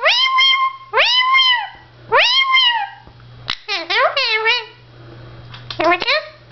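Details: Blue male Indian ringneck parakeet talking to himself at a mirror: three long, high, drawn-out calls, then a quick tumble of chattering syllables and a final short burst.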